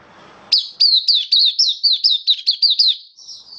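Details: High, thin song of a caged Oriental white-eye, 27 October 2022: about ten quick descending whistled notes in a steady run, trailing into a softer warble at the end.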